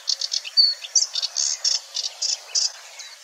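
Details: Mimicking Sedge Warbler at Wetering West, Wetering, Overijssel, May 2022: a varied jumble of short scratchy notes, a brief pure whistle and rising slurs, delivered in uneven bursts.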